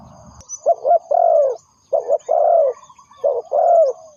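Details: Three low cooing phrases from a spotted dove used as a lure in trapping. Each has a quick doubled note followed by a long steady coo that tails off, with faint high chirping in the background.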